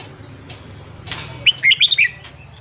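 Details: Red-whiskered bulbul singing in the morning, a recording for stimulating freshly caught birds: after a soft rustle, a single quick, lilting burst of four or five chirpy notes lasting just over half a second.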